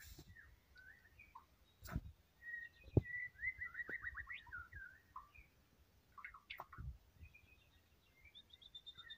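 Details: White-rumped shama singing steadily: varied clear whistled phrases and quick warbled notes, rising and falling, broken by loud clicks and knocks over a low background rumble.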